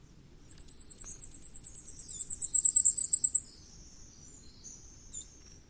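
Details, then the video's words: Common firecrest delivering a sustained three-second string of about twenty-five very high, rapid, tinny notes that swell toward the end, followed by a few faint high chips and light background noise. "火冠戴菊的叫聲/Sound of Common Firecrest"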